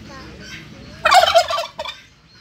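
A turkey gives one loud, rapid, gurgling gobble lasting about half a second, followed by a brief second burst, after a quiet stretch of faint background hum.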